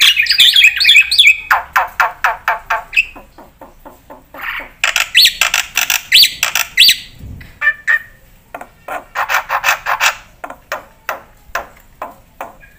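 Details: Black-winged myna singing in 'gacor full isian' style: a short rising whistled flourish opens, then harsh broadband squawky notes repeated about three per second in uneven bursts, with pauses between series.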